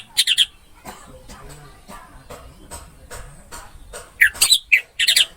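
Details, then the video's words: Orange-headed thrush song for tutoring other birds: a brief warbled burst at the start, a quiet gap with soft clicks and low hum, then several loud chattering phrases near the end. "MP 3 MASTERAN ANIS MERAH MACET BUNYI"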